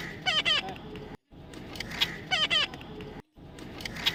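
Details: A baby parrot kept as a pet during taming makes quick bursts of squeaky, stacked chirping notes, two clusters about two seconds apart, with a person talking in the background.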